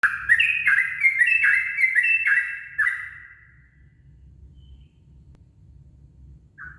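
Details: Yellow-vented bulbul singing at dawn; recording used as a lure. Bright, bubbly phrases of quick rising and falling notes pour out for about three seconds. Then near silence with a faint low hum, broken by one short note at the end.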